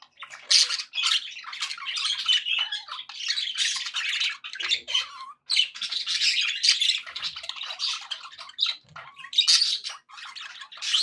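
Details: Budgies, described as happy, produce a lively mix of raspy squawks, chirps and warbling chatter in uneven bursts with short gaps.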